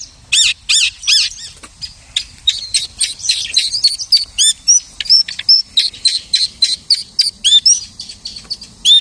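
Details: A lark mimicking other birds delivers a steady stream of sharp, high chirps and upslurred whistles, roughly three or four notes a second, irregularly spaced, after an opening of louder looping phrases.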